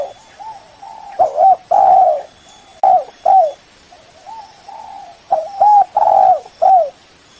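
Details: Rival-calling lure coos of a spotted dove: loud three-part phrases, two short clipped notes leading into a drawn-out throaty coo, alternating with quieter softer coos in between.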